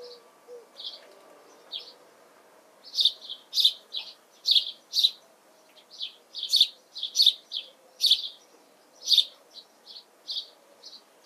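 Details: House sparrow (Passer domesticus) in a garden with bird feeders in June 2020 gives a run of short, harsh chirps, two or three a second, some louder and doubled, over a faint low background hum.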